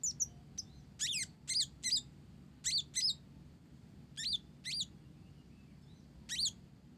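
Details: Olive-backed sunbird of the Blorok type, singing hard with learned Java sparrow phrases, delivers spaced pairs of buzzy, downward-sweeping high notes separated by short pauses across the stretch.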